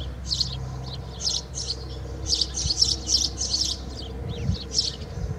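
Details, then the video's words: House sparrow singing inside a swallow's nest, Alikes, Kitros, Greece: rapid clusters of bright, slightly buzzy chirps tumbling together, some doubled, with short gaps between groups and a soft low hum behind. "Σπιτοσπούργιτο μέσα σε φωλιά χελιδονιού / Passer domesticus singing into a swallow's nest"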